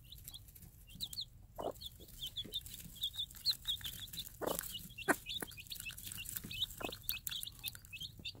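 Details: Tame free-range game hen tending day-old chicks and calling them to food: low, gruff clucks come every second or two beneath a dense stream of high, thin chick peeps, with some rustling and background hiss.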